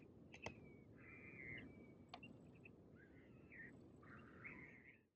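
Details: Maghreb magpie recorded in November 2018 at Oued Souss, Morocco, giving three rasping, buzzy calls about a second apart, with a couple of sharp clicks and a thin whistle in between, over constant low rumble.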